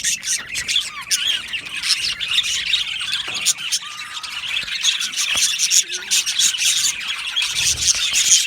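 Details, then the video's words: Colony of Australian budgerigars in an aviary, constant bright chatter overlaid with a few clearer lower whistled squeaks and harsh squawks, many birds calling at once. "Budgie Chirping Sounds"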